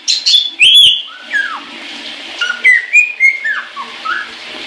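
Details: Pet caique singing happily in the shower: loud shrill whistles and squeaky notes at the start, followed by a quick series of short falling and rising whistled chirps, roughly four per second, with running water hissing beneath.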